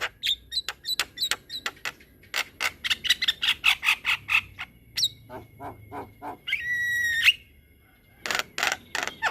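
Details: Black-winged myna singing a long rolling song used to train other mynas: fast rhythmic clicks and chatters, a drawn-out harsh buzz, a short silence, then more harsh bursts.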